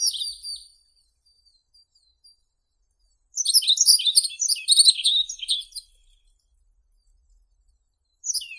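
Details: Yellow-throated bunting singing: a short high phrase of quick sweet twittering notes lasting about two and a half seconds, framed by the tail of one phrase at the start and the beginning of the next at the end, with silence between.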